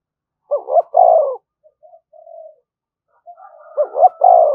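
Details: A spotted dove coos to challenge other doves: a clipped two-part note and a long falling croo, then soft low murmurs, then the same loud phrase repeated, all in a quiet setting.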